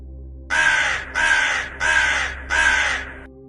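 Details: An American crow gives four harsh, raspy caws, each about half a second long, in a steady series over a low background hum; presented among bird sounds heard at 6 a.m.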